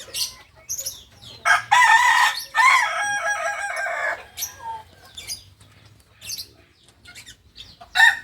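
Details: Kukuak balenggek rooster, a singing chicken breed from Solok, West Sumatra, giving a long hoarse crow from about 1.5 to 4 seconds, broken into layered syllables, with sharp chirps of small birds before and after.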